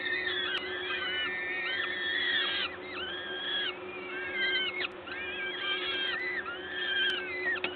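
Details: Peregrine falcons at a nest site in Gdańsk, Poland, on 14 May 2022 at 11:07, as an adult feeds at the nest: overlapping drawn-out, arched, whining calls with strong harmonics, repeated in quick succession over a steady low hum.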